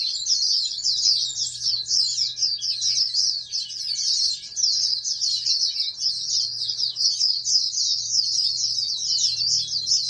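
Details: Captive-bred oriental white-eye, raised as a national contest hopeful, singing a long, unbroken stream of high, rapid, twittering chatter with quick buzzy trills, barely pausing across ten seconds, with a faint low hum beneath.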